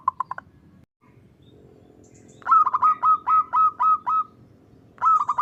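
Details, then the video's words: Zebra dove song of the 'kerot ngutut kowar' type, played to train and lure perkutut. A few soft coos, then a steady string of about eight evenly spaced, bubbling notes, with another phrase starting at the end. "SUARA PERKUTUT KEROT NGUTUT KOWAR SANGAT AMPUH UNTUK MASTERAN TERAPI DAN PIKAT BURUNG PERKUTUT"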